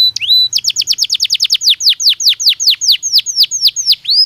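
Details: Belgian canary singing naturally, used for training other canaries: a loud, clean run of rapid descending whistled notes repeated about four to five per second, opened by a rising upslurred whistle, no other sounds.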